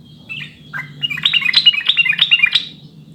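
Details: Sooty-headed bulbul singing, a recording used to coax caged birds into song: a bubbly, chattering run of quick whistled notes that rises and tumbles for about two seconds, with a faint low hum beneath.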